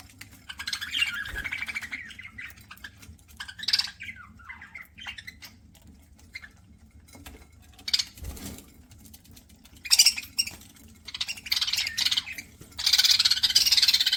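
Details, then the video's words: Budgerigar kept as a pet, chirping during a meal: warbling, chattering phrases with quick scratchy notes in several bursts, separated by short quiet gaps with faint ticking. "PARAKEET EATING SOUNDS"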